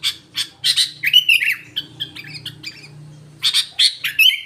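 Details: Trocok-filled song from a sooty-headed bulbul: harsh squawky notes and short slurred whistles in bursts separated by pauses, over a low droning hum.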